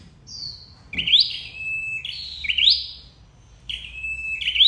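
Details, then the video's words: Red-headed flowerpecker call for trapping, thin high notes: a sharp upward sweep followed by a steady held tone, the phrase repeated three times roughly every one and a half seconds. "Tiếng chim sâu đầu đỏ đi bẫy"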